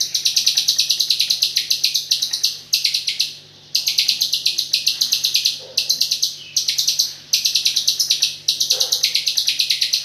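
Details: White-rumped shama singing continuously in the 'AK47' filler style: dense machine-gun rattles of shrill, very high notes roll on almost without pause, broken by two brief gaps. A faint low hum sits in the background.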